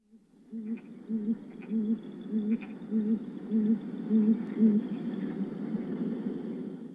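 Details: Great grey owl giving a long, even series of about nine deep, soft hoots, roughly one every 0.6 seconds, each with a faint higher overtone, over a low steady hiss.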